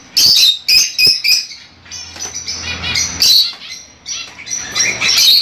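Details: Excited chatter from Fischer's lovebirds, kept birds, meant to stimulate mating: rapid shrill chirps and squeaks crowding together, several calling at once, with a low droning hum in the background.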